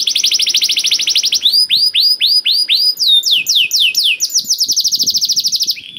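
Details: Canary song as a lure to make reluctant birds sing: a fast steady rolling trill opens, followed by swooping slurred notes and another rapid high trill ending in a short lower buzz.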